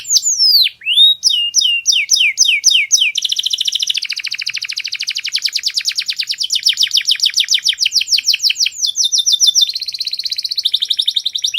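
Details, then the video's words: Canary master song with very clear tone. Quick downward-sweeping whistles are repeated about twice a second, then give way to long, dense trills that shift pitch several times, some notes rapid and others more spaced. "MASTERAN KENARI SUARA PALING JERNI"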